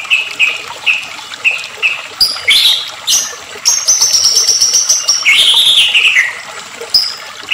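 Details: White-rumped shama singing excitedly on a lure track for provoking shamas: a row of short even chirps, then a high sustained trill and a loud descending slurred whistle.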